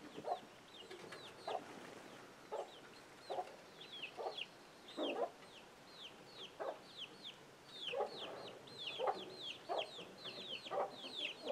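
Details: Chicken giving an alert sound to young chicks: short, low clucks repeated roughly every second, over a steady chorus of high, thin, downslurred chick peeps throughout.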